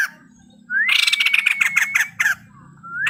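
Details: A male white-crested laughingthrush sings a long upslurred whistle running into a loud, rapid, harsh chatter that stops abruptly, then another rising whistle begins.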